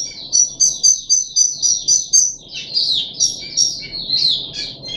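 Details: Caged puff-backed bulbul recorded 14 July 2021 on its third day of deworming: quick series of high, bright chirping notes repeated several times per second, some sharp and whistled, others slurred, over a faint low room hum.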